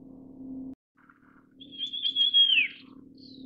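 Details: Russet sparrow giving one drawn-out whistled call that holds high and then slurs downward, with faint short notes before and after over a steady low hum.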